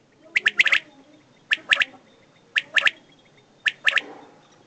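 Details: Common quail (desi batair), male and female, uttering four crisp three-syllable calls about a second apart against a quiet background.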